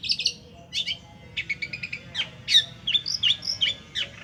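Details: Long-tailed shrike song used as a lure: short groups of quick clicking, chattering notes with pauses between, followed by sharp, high whistled notes given in close succession.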